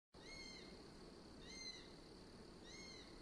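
A Eurasian sparrowhawk gives three drawn-out, thin, slightly arching cries, each lasting about half a second and spaced about a second apart, over a steady background hiss.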